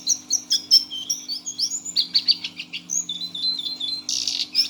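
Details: Six-month-old brown Lesser Shortwing in a cage singing teler: thin high whistles and short upslurs, then clustered chips and a buzzy burst near the end, over a steady low hum.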